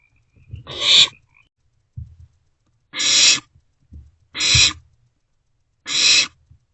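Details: Owlets of the barn owl sharing food in a nest box at night; four rasping screech-hisses at irregular spacing, mixed with soft low knocks and scratches from movement in the box.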